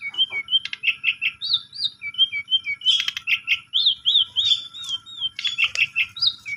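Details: Varied Asian pied starling song, played as a lure to get a silent starling singing. Dense alternation of clear whistled notes, scratchy buzzes and repeated looping whistles continues without pause over a faint background hum.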